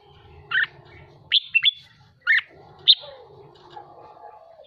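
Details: Caged red-whiskered bulbul being trained, singing excitedly: four or five separate sharp bright chirps spaced about half a second apart, over steady low background hum and a faint lower tone.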